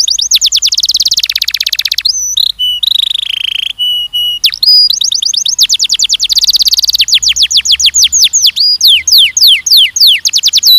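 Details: Canary song in a session for training young males and females for mating: loud, fast rolling trills of rapid repeated notes, broken by sustained buzzy tours and sharp whistled slides, changing phrase every second or two.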